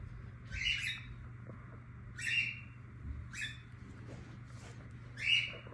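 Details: Young cockatiels walking around give short, harsh, chirping calls spaced a second or two apart.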